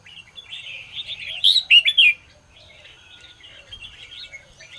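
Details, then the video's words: A Red-whiskered bulbul's morning singing, meant to spur other birds to sing hard. A soft warbling leads into a loud, bubbling burst of quick notes midway, then fades into quiet, continuous chatter. "chào mào hót sáng QUÁ HAY - CHÉ KÍCH BỔI CĂNG ĐÉT"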